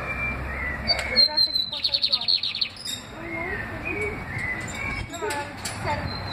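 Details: Lined seedeater described as very excited, singing a series of sharp high chirps followed by a fast, buzzy, pulsing trill, then more scattered whistled notes, over a steady background hiss.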